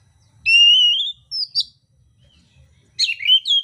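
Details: Mintal oriental magpie-robin in fighting song with rough fill-ins: a long loud rising pure whistle, two short sharp notes, silence, then a tumbling jumble of harsh high chattered notes, over faint low noise.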